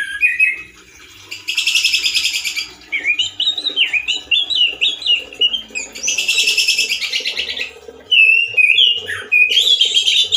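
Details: Male orange-headed thrush singing loudly and roughly in a cage, as in the wild: two long buzzy rattling bursts alternating with twisting whistled warbles, with a faint hum beneath.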